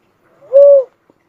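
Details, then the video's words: Cuckoo-dove uttering a single short, mellow low coo with a faint rising lead-in, steady then dropping at the end, followed by a tiny click; quiet background. "suara burung uncal asli"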